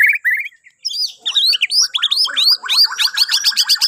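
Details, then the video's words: Bornean white-rumped shama singing to encourage other birds in the morning: low chirps, then high, sharp rising whistles and fast repeated ticking notes building toward the end. "Kicauan Murai Batu Borneo❗Cocok Buat Pancingan Dipagi Hari"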